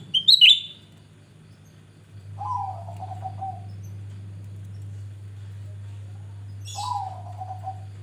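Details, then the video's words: Grey-bellied bulbul in full gacor song, used as a lure: one sharp high chirp, then two mellow falling warbled phrases several seconds apart, with a constant low hum beneath. "Cucak Rante gacor Buka Paruh Pancingan"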